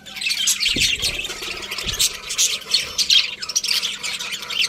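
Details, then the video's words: Continuous high-pitched budgerigar chatter, a busy stream of scratchy warbles and squawks from more than one bird, with a couple of soft low knocks. "Cute Budgies Chirping Sounds"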